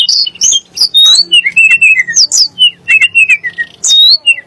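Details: Sunda blue robin, called tledek gunung, with a song said to excite kacer and muri birds. Mid-pitched falling whistled slurs run in short strings between sharper high upward notes.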